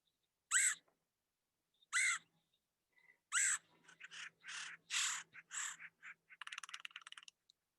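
Red-headed Woodpecker giving harsh, raspy 'queer' calls and a run of scratchy chatter notes, ending in a brief, rapid burst of drumming.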